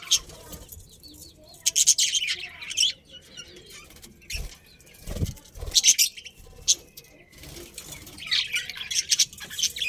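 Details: Budgerigars in a breeding colony give bursts of high, scratchy chatter and squeaks. Soft thumps and wing flutters from the cage fall between the chirping phrases.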